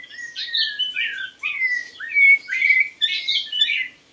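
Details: White-rumped shama song used as a lure for birds: a continuous stream of full, melodious whistles, swooping down and up in varied short phrases, clean and close.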